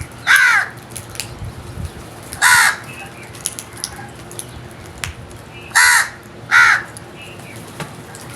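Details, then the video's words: Crows calling with four loud, grating caws in uneven pairs, separated by quiet stretches of light background noise. "Very strange Crows Sounds | Amazing noise made by Crows"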